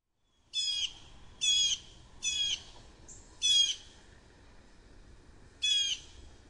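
A Blue Jay gives five harsh, nasal jeers, each about a third of a second, spaced one to two seconds apart, over quiet background hiss.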